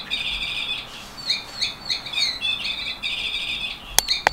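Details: A 15-year-old yellow canary sings a continuous, fast run of bright trills and rolling warbled phrases, high and sweet, with a couple of sharp clicks near the end.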